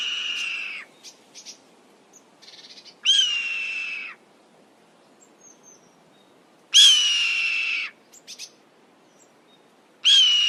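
A hawk gives hoarse, harsh screams about a second long, each slightly falling in pitch, repeated every three to four seconds against a quiet background.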